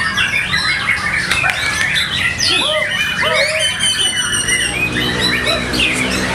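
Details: Murai batu, or white-rumped shama, performing in a practice singing contest: bright looping whistles and short arched notes repeated in sequence, layered over a busy background of other singing birds and faint voices.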